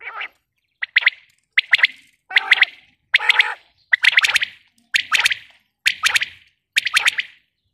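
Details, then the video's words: Calls of a female common quail (batair): steady series of sharp, metallic, stuttered note-groups repeated about every 0.8 seconds, the early groups lower and buzzier, in otherwise silent surroundings. "Batair awaz | batair ki boli | quail sound | female quail sound"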